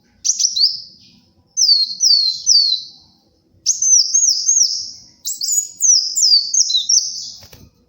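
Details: Brown-throated sunbird in full song, for luring and tutoring: four bursts of high, stepped downslurred whistles, growing longer and more twittering toward the end.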